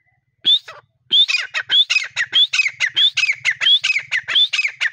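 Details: Grey partridge calling in breeding season: after a lone opening note, a rapid continuous series of rising whistles alternating with rough, grating chatter, rhythmic and loud throughout.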